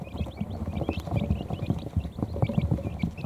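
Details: Young quail chicks, just hours old, gathering under an electric heat plate in their brooder to rest; many brief high-pitched peeps in quick succession over constant low thudding and rustling.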